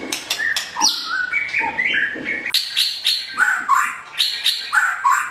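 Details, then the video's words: White-rumped shama of the blorok variety singing in the morning, used as a training lure: loud, varied whistled phrases stepping up and down in pitch, mixed with sharp clicks and short rattles, continuous and rich. "Murai Batu Blorok_ Suara Masteran Di Pagi Hari_Pasti Nyaut.!!"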